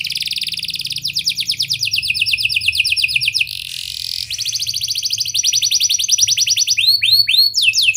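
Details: Canary in full song, played to get young canaries singing: long rapid trills of repeated high notes, a brief buzzy hiss, another extended trill, then several swooping whistled slurs at the end.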